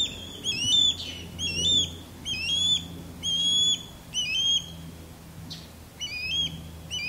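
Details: A male osprey's sky-dance courtship calling, low over a backyard, with the female calling loudly from high in a longleaf pine: series of short, high, whistled chirps in quick bursts, about one per second, over low background hum.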